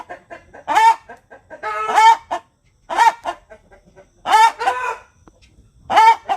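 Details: Post-laying cackle of a native village hen, described as higher and shriller than a rooster's. Soft rapid clucks lead into loud, rasping, falling 'petooook' notes, several cycles in a row.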